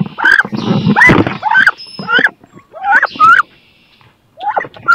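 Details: Squeals of two female wood ducks contesting a nest box for laying, rising whistled cries between loud scuffling bursts, then a brief lull.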